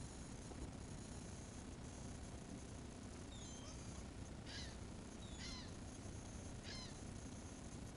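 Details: Gulls calling while being fed: several short harmonic squealing cries, some rising then falling, repeated roughly every second over steady low wind or engine rumble.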